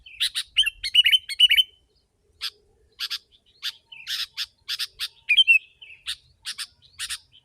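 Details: Sooty-headed bulbul lure for wild birds, opening with a rapid string of warbled chirps, then spaced harsh, buzzy chip notes, some doubled, with one brief twisting whistle near five seconds.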